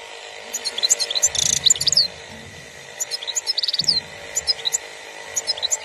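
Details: European goldfinch song in 2021 from a bird breeder in Algeria: continuous bright twittering with fast metallic chirps and brief buzzy rattles, rising and falling in dense phrases.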